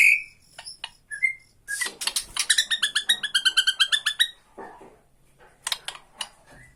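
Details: Bornean white-rumped shama producing tretekan, a harsh rattling sequence used to lure and provoke other shamas: a few thin whistles, then a rapid series of about fifteen buzzy, grating notes, then scattered sharp chips.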